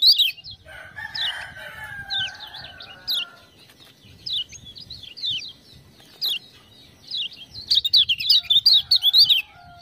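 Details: Lemon-bellied white-eye responding to ciak-ciak sounds: scattered high chirps and short twitters with a lower buzzy whistle early, building to a dense, fast chirping phrase near the end.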